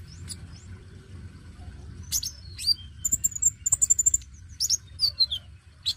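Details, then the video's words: Active dacok-type oriental magpie-robin singing as a lure for newly caught young birds. Scratchy bursts lead into a run of evenly spaced, clear high whistled notes, then falling slurred whistles and sharp chirps. "KONIN DACOK GACOR PENARIK BUNYI KONIN BAKALAN"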